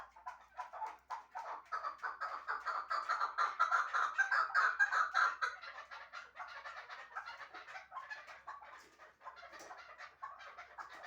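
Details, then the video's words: Chukar partridge kept for hunting in Shahritus, calling a long series of throaty chuk notes that swell to a loud rhythmic peak midway, then fade into softer, looser clucks. "Кабки Шаҳритус"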